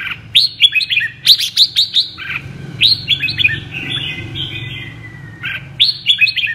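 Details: A red-whiskered bulbul sings a "double-voiced" song: loud, bright whistled phrases of quick rising and falling notes in bursts with short pauses between them, over a faint low hum; Red-whiskered bulbul.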